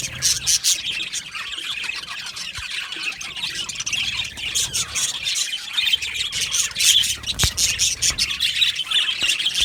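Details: Aviary flock of Australian budgies keeps up a constant babble of high chirps and squeaky squawks, many birds calling together, with brief louder sharp notes breaking through the steady chatter.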